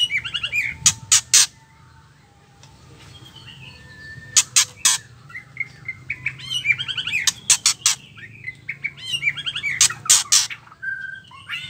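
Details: Female white-rumped shama giving harsh rattling ketrekan calls, used to provoke males into singing; loud broadband rattle bursts in clusters alternate with thin whistled and chattering phrases, low steady hum underneath.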